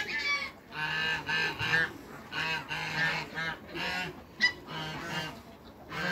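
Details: Toulouse geese meeting their mate on a waterbird farm in Greece: long runs of hoarse, nasal honking, several birds overlapping, with a steady low hum underneath and brief pauses between bursts.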